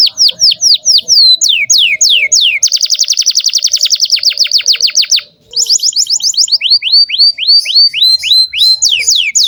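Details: Canary song as a lure for young birds: repeated falling whistled slurs, a fast rattling trill, a brief pause, then more trills and rising looping notes.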